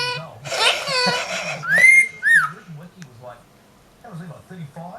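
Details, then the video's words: Pet talking parrot, male, imitating a comedian's laugh indoors: a burst of raspy, laugh-like chatter, then a long rising whistle and a short whistled note, followed by a person speaking softly in the background. "Funny talking bird, laughs like Ricky Gervais"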